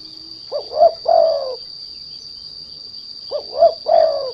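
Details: Spotted dove used as a derkuku lure to stir untrained doves into song: two soft, low three-note coo phrases separated by a pause of nearly two seconds, the last note long and sliding down. A steady high whine runs underneath.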